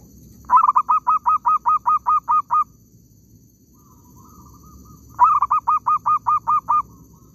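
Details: Zebra dove cooing in an oil palm plantation while birds are being lured for trapping: two loud bursts of about eleven rapid, even staccato notes, with softer drawn-out cooing between them over a low background hum.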